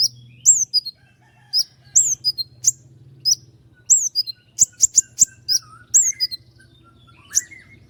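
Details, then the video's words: Common iora rolling out sharp, high shots in quick succession, with a dense burst of clipped notes in the middle and a few lower sliding whistles near the end. "roll tembakan panjang dengan tonjolan tajam mewah dari konin gacor"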